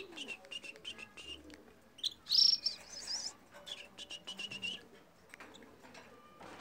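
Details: Red crossbill, Loxia curvirostra, singing: quick series of high chipping notes with a brief louder buzzy twitter in the middle, followed by more rapid chips and soft background hiss.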